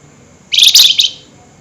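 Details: Flameback calling at night, highly excited: one dense, rapid burst of harsh, high, chattering notes lasting about half a second, loud and strident.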